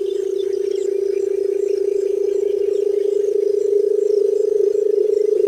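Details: Low, droning, rapidly throbbing hum of a barred buttonquail, held without a break throughout, slightly rougher and louder toward the end, over faint high background chirping.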